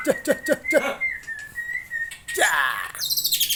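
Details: Aceh long-tailed white-rumped shama singing with rich fill-in: four quick repeated downward-sliding notes, a long level whistle, then a rasping burst and high twittering.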